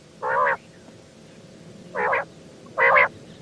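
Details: Three rough, rasping calls from a female quail, the first separated from the later two by a long pause, over a steady low hiss.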